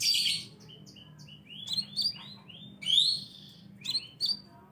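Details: Scarlet minivet call played as a lure sound to attract birds. It is a jumble of sharp, high chirps and short upslurred whistles in quick bursts, with a bright rising note in the middle, over a faint low hum.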